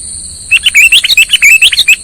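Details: Sooty-headed bulbul lure call used for trapping birds: after half a second of quiet, a fast run of short, bright, chirpy notes tumbles up and down, with a steady high electronic whine underneath throughout.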